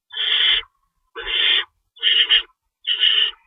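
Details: Owls in a nest at feeding time, early morning of March 25, 2012, with two rabbits in store: four harsh, noisy screeches, each about half a second long and spaced roughly a second apart.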